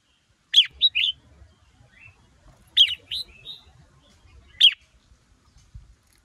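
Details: Red-whiskered bulbul, a male excited by a female, delivering short bright whistled phrases of two to three notes roughly every two seconds over a quiet background.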